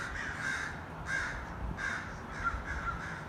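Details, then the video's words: Crows in a gathering flock of hundreds: harsh, raspy caws in bursts roughly every half second to second, overlapping voices from many birds over a steady background hum. "A murder of crows. 100’s of crow birds gathering."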